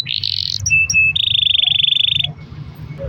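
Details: Canary delivering a long roll in a lure recording for prompting other canaries to sing: a buzzy high trill, two short flat whistles, then a sustained even pulsed roll lasting over a second before fading into faint noise.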